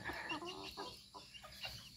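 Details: A young male red junglefowl, newly mature and starting to make threat displays toward a hen, gives short, abrupt clucking notes, about four in just over a second, over a steady hiss and a brief human voice.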